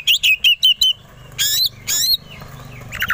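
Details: Oriental magpie-robin singing to provoke rivals into agitation and fighting: five quick, evenly spaced whistled notes, then two longer harsh, buzzy phrases, and a faint chirp at the end.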